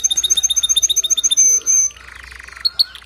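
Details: Male canary singing so a female will build her nest: evenly repeated bright chirps about seven per second, two short held whistles, then a lower buzzy rattle and a few sharp notes.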